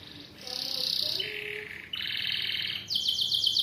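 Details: Atlantic canary, a long-duration singer, delivering sustained rolling trills that switch pitch in blocks, from a mid buzzy roll to a lower tour, then rising to very high rapid trills, with no pauses.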